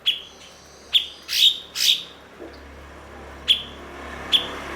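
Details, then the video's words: Blue-winged leafbird, a fluent mimic of other birds kept as a master bird to teach songbirds; sharp high chips, each with a falling sweep, come singly and in quick pairs over a quiet hiss. "MASTERAN BURUNG BERKICAU "CUKOK""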